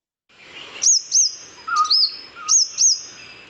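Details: Purple-rumped sunbird (Leptocoma zeylonica), call.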